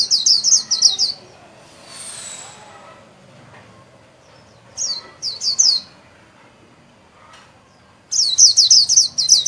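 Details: Líu song from a caged Japanese white-eye displaying with spread wings: repeated bursts of fast, shrill, high twitters in quick runs, one longer burst closing out, with a soft noise patch in between.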